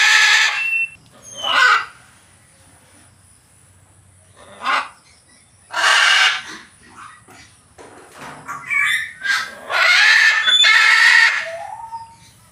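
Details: Macaw calling in a room, giving a series of separate harsh squawks, some brief and some drawn out, with short whistled notes between them and quiet gaps.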